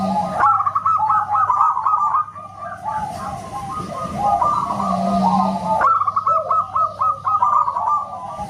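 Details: Loud, whistle-like song of local zebra doves: fast runs of clear hooked notes at start and end, with a noisy, hum-laden stretch in between where the notes fade.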